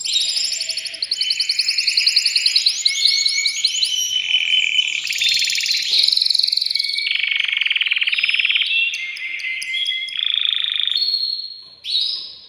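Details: Caged male canary singing vigorously to stimulate a female for breeding: continuous song of rapid rattling trills that shifts between several pitched rolls and sustained, buzzy tours, ending in short clear notes.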